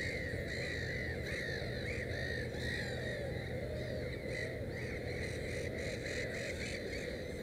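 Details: Dense chorus of grating, rising-and-falling black-headed gull calls near a nest with three chicks, calls following each other almost without pause over low continuous background noise.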